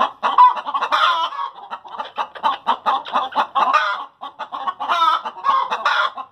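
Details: After laying eggs, backyard chickens keep up a dense, overlapping cackle of choppy clucks, punctuated by brighter, longer squawks near the start and toward the end, briefly pausing after four seconds.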